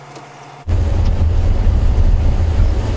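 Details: On a sunset game drive, quiet background gives way after half a second to a loud, deep vehicle engine roar, with no animal heard.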